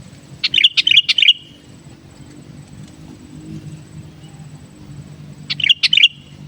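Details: Sooty-headed bulbul song meant for luring wild birds: a burst of sharp, chattering bubbly notes, then roughly four seconds of near silence with faint hum, then a second similar burst.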